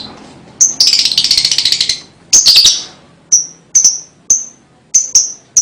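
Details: Lovebird sounds used to encourage young birds: a rapid pulsing buzzy trill lasting about a second, a short squeaky burst, then single high chirps spaced roughly half a second apart.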